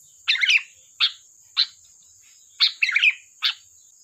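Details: Sooty-headed bulbul lure song with bubbly warbled phrases alternating with single short sharp chirps, about six bursts in four seconds, a faint constant high hiss underneath.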